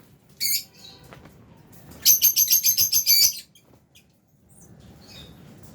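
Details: Lovebirds in an aviary, albino and Fisher's birds eating, utter a single shrill chirp and then a rapid run of about ten high, scratchy notes lasting over a second, followed by near quiet.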